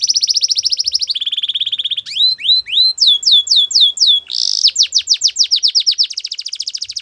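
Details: Belgian canary song with sustained rolling trills at two pitch levels, followed by rising swoops and ringing downward-curved notes, then another rapid trill.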